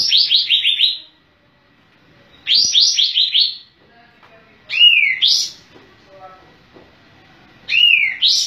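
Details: Lively Sooty-headed bulbul, tail fanned, delivering rapid tumbling phrases of four or five falling notes, then two shorter slurred rising-falling calls, with pauses of about a second between outbursts.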